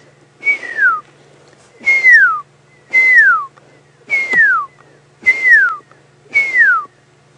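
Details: A Pearl-spotted Owlet calling in the background during an afternoon safari drive in Sabi Sands, South Africa, on 24 April 2016: a series of loud, descending whistles, one roughly every second and a half.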